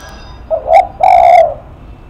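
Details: Spotted dove giving a loud, low coo: a brief introductory note, then a short hoot and a long sustained hooting note.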